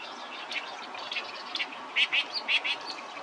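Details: Oriental reed warbler song in short fragments: a few scattered harsh notes early, then four louder raspy chattering notes in quick pairs near the end over steady background hiss.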